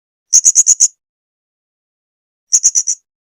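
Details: Blue-crowned hanging parrot singing (kicauan) on a masteran tutor recording: two separate bursts of four to five shrill, very high, clipped notes delivered quickly, with silence between them.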